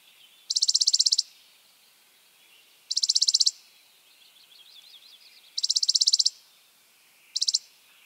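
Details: Spizella sparrow giving fast, mechanical, high-pitched trills of under a second each, repeated about every two to three seconds, with faint softer chips between them in a quiet setting.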